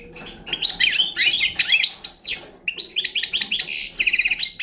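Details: Young Balkan-type European goldfinch singing: a lively, high twittering run of slurred, rising and falling notes mixed with short buzzy trills, pausing briefly near the middle before resuming with quick repeated chirps.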